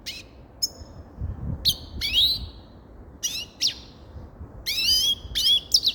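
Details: Grey-crowned goldfinch song of scattered high chirps and slurred, rising twitters, building to a denser burst of twittering near the end.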